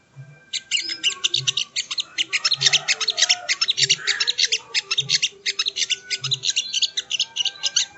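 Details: Sogo ontong (ruby-cheeked sunbird) masteran training song: long, unbroken stream of high, rapid chirps and trills, with soft low thumps recurring about every second beneath the singing.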